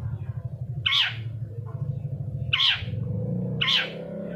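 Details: Long-tailed shrike lure recording for prompting silent birds to sing: three loud, grating downslurred squawks about a second or more apart, with a low droning hum beneath.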